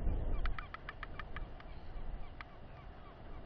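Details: Royal albatross chick, female, about 920 g, clacking its bill defensively at a ranger during a weight check: a quick run of about eight dry, sharp clacks over a second and a half, then one more, over a low rumbling background.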